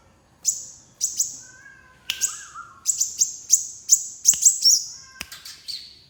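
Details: Sunbird calling in sharp, piercing high chirps, often doubled, speeding into a dense run of notes, with faint lower whistled notes from another bird in the background.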